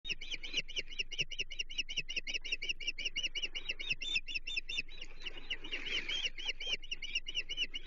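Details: Ospreys at a Chesapeake nest on 30 June 2023, around the arrival of the day's third fish, a menhaden, brought for the chicks; a steady stream of sharp, whistled chirps repeated several times a second, with faint wing and nest noise.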